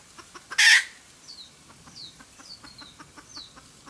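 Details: A wild red junglefowl hen cackles, played to lure birds into traps. One loud harsh squawk is followed by a run of quick, evenly spaced clucks. High, thin falling whistles sound behind.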